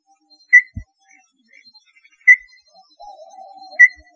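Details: Small-billed tinamou giving three widely spaced, sharp whistled notes about 1.5 seconds apart, with a faint lower wavering sound in the background between the later notes.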